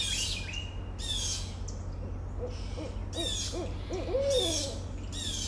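A barred owl gives a run of quick, rising hoots ending in a drawn-out, falling 'aww'. Loud bursts of rough, hissing noise and a low steady hum sound throughout.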